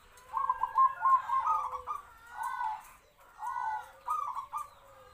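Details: Local zebra dove used as a trapping lure, medium-voiced and captive-bred, singing kwor kwor. Two clear bursts of quick purring coos come, each ending in a longer rolled note.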